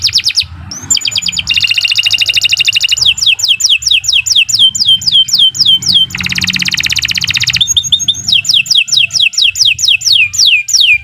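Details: Canary in long continuous song used to train other birds: dense buzzy trills alternate with strings of falling whistled sweeps, loud and unbroken for over ten seconds.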